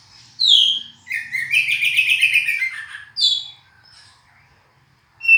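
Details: Oriental magpie-robin song: a loud, sharp descending whistle, then a run of rich, fast warbled notes, a short pause and another bright whistled phrase, with a faint low hum underneath.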